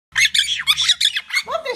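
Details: Monk parakeets, called quakers, in a noisy mood: a dense burst of harsh, raspy squawks, several overlapping in quick succession, ending in a lower grating screech, with a faint low hum underneath.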